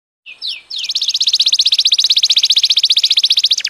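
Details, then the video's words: A Belgian canary sings two quick falling whistles, then a long, even trill of bright, high notes repeated about four times a second. "Canario belga cantando"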